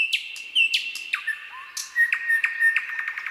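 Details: A nightingale sings on a summer night: steady whistled notes punctuated by sharp drops, a rising slur, then a fast rhythmic series of clicking notes, clear and close.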